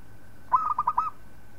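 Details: Local zebra dove singing for training other birds, one brief phrase of rapid, bubbling coos, about five mellow notes in under a second, clear against a quiet background.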